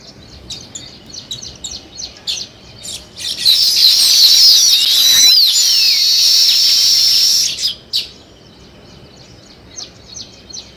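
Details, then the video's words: Scattered sparrow chirps swell into a loud dense twittering chorus lasting about four seconds, then fall back to sparse distant chirping. "Sparrow Chirping"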